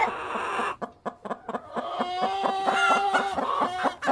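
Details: Hens and cockerel on a farm, short evenly spaced clucks pulsing about twice a second beneath a continuous layered cackling chorus.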